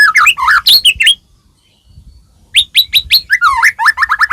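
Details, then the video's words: Murai batu (white-rumped shama) song to set other shamas singing: a quick mix of whistles and chatter, a brief silence, then sharp repeated whistled notes speeding into a rapid series. "murai batu gacor AMPUH buat PANCINGAN murai batu agar bunyi"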